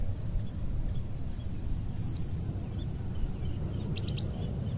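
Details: Red avadavat, an introduced Asian species, recorded in Parque del Sureste, Madrid, giving high, thin chirps: a short twittering phrase, then a quick run of three or four sharp descending notes, over steady low rumbling background noise.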